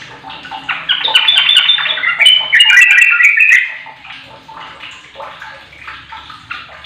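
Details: Lure recording of sooty-headed bulbul song for coaxing a quiet bird into singing, with a rapid, jumbled run of liquid chattering notes peaking in the middle, then softer warbles.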